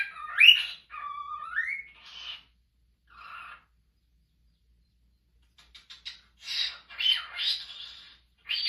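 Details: A male pet cockatiel whistles clear, sliding tonal phrases, rising and falling, as he practises a tune his owner is teaching him.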